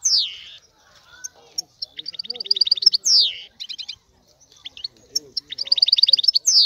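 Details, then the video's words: Male European goldfinch in aroused song meant to bring a female into breeding condition: steep descending whistled sweeps alternating with fast tinkling trills of repeated liquid notes, separated by short quiet gaps. "اقوى تغريد الحسون لتحفيز انثى الحسون"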